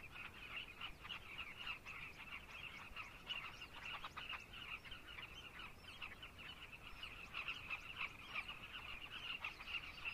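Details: Carmine bee-eaters calling en masse in Zambia, a lively stream of short, rolling, throaty chirps, about three per second, overlapping from many birds.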